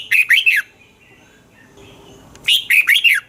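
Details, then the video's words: Caged red-whiskered bulbul song played to excite birds: a short phrase of four loud rolling, bending notes, silence, then the same four-note phrase repeated. "เสียงนกกรงหัวจุก สำหรับต่อ หรือ เปิดให้นกคึก เสียงเพราะๆ"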